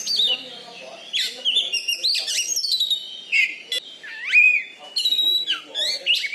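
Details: Oriental magpie-robin (kacer) kept as a competition champion in Bengkulu, singing loud varied phrases: buzzy bursts, upward-curving whistles and clear sustained notes.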